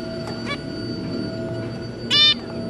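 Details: Zebra finch family, a pair with three juvenile young, recorded 2 August 2022: a loud nasal, harmonic-rich call near the end, preceded by two fainter short calls, over a steady electrical hum.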